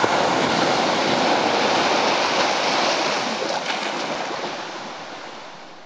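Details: Steady roar of breaking waves and surf, slowly easing in loudness; no animal sounds heard.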